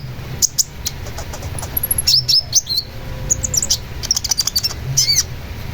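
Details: Long-tailed shrike song of high, sharp chattering notes and brief slurred whistles, delivered in dense irregular bursts with faint low rumble behind.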